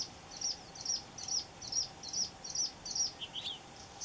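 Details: Red-throated pipit calling in Cyprus: a rapid series of short, thin, very high chirps, evenly spaced about every half second, ending in a lower, scratchier double note, with a faint steady hum beneath.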